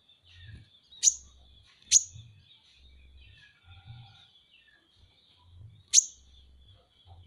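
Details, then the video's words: Masteran recording of a kolibri ninja, Van Hasselt's sunbird: three abrupt, shrill high chirps, two in quick succession and one four seconds later, over faint buzzy background twitter and low thuds. "masteran KONIN dacok ngobra ngobra"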